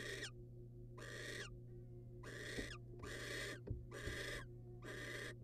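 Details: Wild barn owl pair during a rodent delivery from male to female: six rough, hissing screeches spaced about a second apart, mixed with soft taps and knocks, over a continuous low hum.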